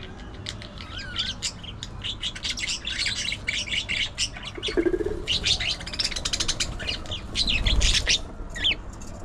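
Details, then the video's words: A flock of budgerigars keeps up busy chatter: rapid sharp chirps, whistled squeaks and scratchy trills in dense bursts, with a brief soft flutter-like sound and a low thump late on. "Budgie Moments: Gossip"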